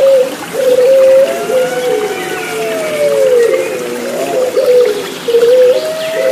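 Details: Low, smooth, held coos from Puter Pelung turtle doves, layered over one another with a steady water trickle behind, meant as therapy for caged birds that have stopped singing.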